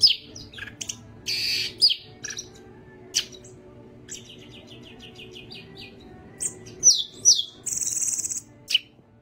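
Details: Greater green leafbird, yellow-headed form, singing lively with wings spread; buzzy rasps, a rapid stuttering series of short notes, and sharp whistled slurs toward a loud harsh buzz.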